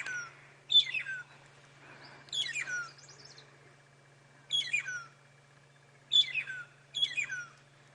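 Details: Magpie shrikes (long-tailed shrikes) whistling on an early-morning safari drive in South Africa after sunrise: clear, liquid whistled phrases that slur downward, repeated in bursts every couple of seconds, with a steady low hum underneath.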